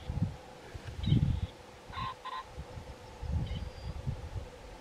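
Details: A grey partridge at Tubney Fen, Cambridgeshire, on 4 April 2021 gives a few short, harsh, creaky calls, some doubled, over heavy low wind rumble.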